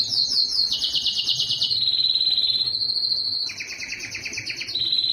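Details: Yellow canary singing high, dense trills that drop into a steady sustained whistle, then resume as a two-layered rattling trill ending on a clear high note.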